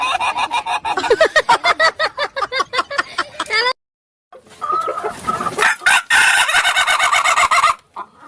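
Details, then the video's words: Ayam Ketawa chicken giving its laughing crow: a long train of quick, sharp pulses. A short gap follows, then a louder, harsher, noisier burst of crowing. "Suara Kokok Ayam Ketawa yang Lucu dan Unik"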